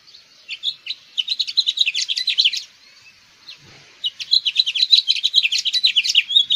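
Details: House finch (Haemorhous mexicanus) singing two long, fast warbling bursts of jumbled high chirps and twitters, separated by a short pause. A brief low knock sounds in the gap. The background is otherwise quiet.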